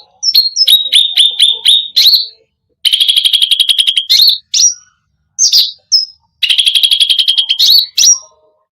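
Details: Energetic cucak rante song, full of varied phrases to provoke other birds: quick repeated chips, a long buzzy trill, isolated rising whistles separated by pauses, and a final rattling run.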